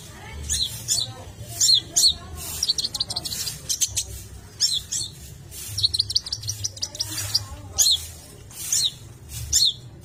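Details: Long-tailed shrike singing in a recording meant to excite other shrikes: scratchy, squeaky high phrases and quick chirped notes in irregular bursts, with a steady insect-like buzz and low background rumble throughout.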